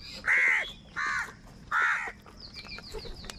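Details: Angry crow fighting for food: three loud, harsh, drawn-out caws about a second apart, followed by faint high chirps from smaller birds.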